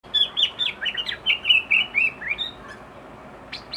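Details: Sooty-headed bulbul, described as agitated and pouring out its filler song: a quick chattering run of short chirpy whistled notes, about two per second, fading after two and a half seconds over a steady background hiss.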